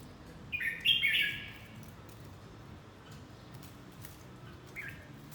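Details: Red-whiskered bulbul during fight training, giving one quick, loud, chirpy warbled phrase early on, followed by a faint short note later over a low background hum.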